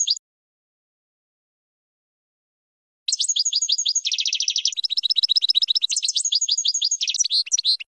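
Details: Goldfinch training song for young birds: after a brief note and a pause, a sustained outpouring of fast twittering trills and metallic chatter running about five seconds without break, bright and high-pitched, background silent.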